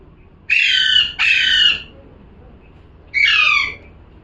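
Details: Parrot calling with grating, harsh squawks: two long cries back to back, then a third after a pause of over a second, against a quiet background.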